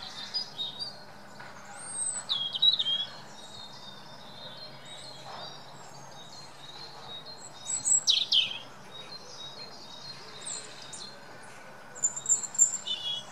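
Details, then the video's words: European robins singing in the UK: thin, high, sweet warbled phrases with sharp rising and falling whistles, delivered in short bursts separated by pauses of several seconds, over faint background hiss. "Robin redbreasts singing"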